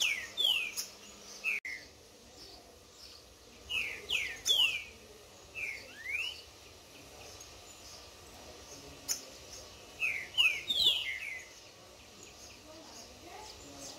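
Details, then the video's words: Green-winged saltator, a tournament bird, singing outdoors in the bush in a contest with a wild bird: short clear whistled phrases sliding downward, given in bursts over several seconds with brief pauses, against faint insect hiss. "Trinca Ferro de torneio levando flexada do solto no esquenta no mato!"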